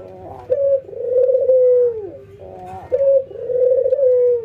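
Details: Ringneck doves, a white albino bird and a local bird, in routine training to keep them singing keenly, nodding and laughing: two long rolling coos, each opening with a short note, then a sustained purring phrase that drops at the end, about two and a half seconds apart.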